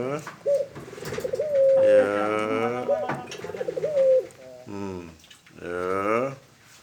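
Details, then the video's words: Tame dove cooing: short clear tonal notes lead into longer rolling, harmonic-rich coos that rise and fall. The phrase repeats several times with brief pauses. "Burung Puter Kreen.."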